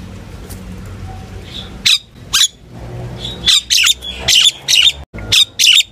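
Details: Common myna calling the flock with spaced, scratchy squawks and chirps, sparse at first, then a steady run of harsh notes about once a second over low background hum.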